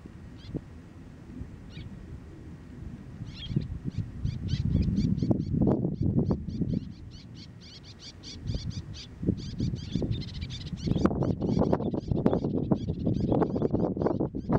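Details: Javan plover incubating on a nest on the beach of Surabaya's east coast. Short, high chirping notes repeat in quick, uneven runs over a steady low rumble of wind and surf.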